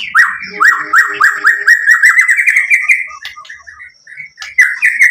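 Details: White-rumped shama song used to provoke other shamas into singing: a fast run of repeated rich whistled notes, then a brief pause and a few more phrases.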